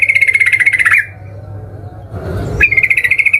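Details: Sooty-headed bulbul calling aggressively to provoke other bulbuls: a harsh, fast buzzing rattle, a pause with a soft rustle, then the rattle again.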